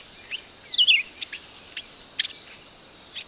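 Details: Red-eyed vireo song: a single clear slurred phrase that drops in pitch, followed by faint scattered ticks and chips against a soft outdoor background.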